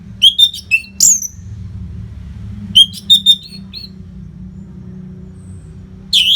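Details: Orange-headed thrush training song: short clusters of clear whistled notes, somewhat lower and steadier, with a repeated stuttering phrase, long pauses between clusters.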